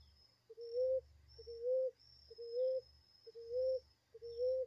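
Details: Five evenly spaced low coos from a ground dove in a natural setting. Each is brief and lifts slightly in pitch, over a faint high steady whine and a low hum.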